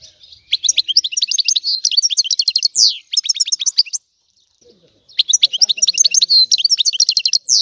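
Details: A European goldfinch sings two bursts of lively, jangling twitters and buzzy rattles, separated by a short silence of about one second.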